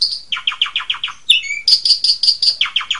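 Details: Asian pied starling song in the complete 'isian' style: series of quick descending chip notes, a brief whistled twist, then bright ringing repeated notes and more falling chips, about three per second.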